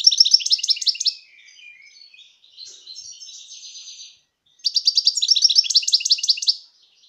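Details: Wild European goldfinch singing in 2018: bursts of rapid, high tinkling twitters, then a softer stretch of thin buzzy notes, and another fast twittering burst before the song fades. No other sounds.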